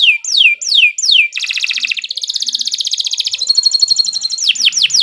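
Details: Kenari Nusantara canary in energetic song: three bright downward-sweeping whistles, then a long fast rolling trill that shifts into a thinner, higher trill, ending with more quick swooping whistles.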